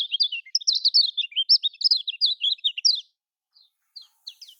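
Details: Lemon-bellied white-eye, Lombok-style song used to get silent caged birds singing: a fast, unbroken stream of high, warbling, slurred chirps for three seconds, then a few scattered short notes after a pause.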